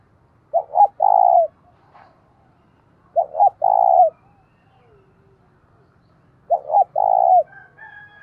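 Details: Decoy spotted dove calling to stir up fighting; three repeated low coo phrases, each two quick notes then a long sustained coo, spaced roughly three seconds apart, with faint fainter calls between.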